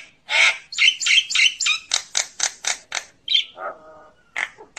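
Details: Common myna calling to its flock: about a dozen rough, harsh notes repeat at a fairly quick pace, then come a whistle, a lower grating note and a few last squawks.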